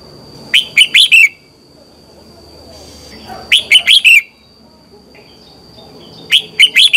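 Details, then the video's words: Morning singing of a red-whiskered bulbul, recorded as a model for training birds: three short, bright phrases of three or four slurred whistles spaced about three seconds apart, with a constant faint high tone between them. "Luyện chào mào hót sáng - QUÁ HAY KÍCH CHÉ"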